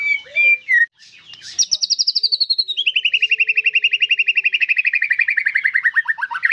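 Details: White-rumped shama singing actively: a few short whistles, then a long fast trill of evenly pulsed notes, about four per second, gliding slowly downward in pitch.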